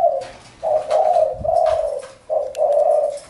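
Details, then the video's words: Spotted dove giving low, hoarse cooing phrases near 600–800, each coo drawn out and falling slightly, three phrases separated by brief pauses, with faint background noise. "Chim cu gáy-Đam mê tiếng chim cu"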